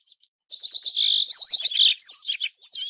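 Yellow-browed Bunting giving a rapid, unbroken jumble of high, thin twittering notes for about two and a half seconds; no other sounds stand out.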